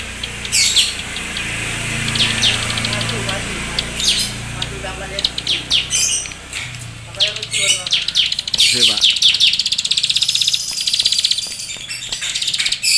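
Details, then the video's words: Bar-winged prinia (paddy-field ciblek) in full song: high, rapid chirps and thin trills, then harsh buzzy chattering bursts, over a faint low hum. "Ciblek Sawah Gacor Full Nembak Keteran"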